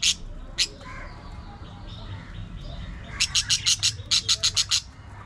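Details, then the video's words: Pet budgies squabbling and playing: two isolated sharp chirps, quiet murmuring chatter, then two quick runs of bright, high chirps, five and five notes, evenly spaced. "Budgies Unfiltered! Love, Fights, Fun & Chatter All Day Long"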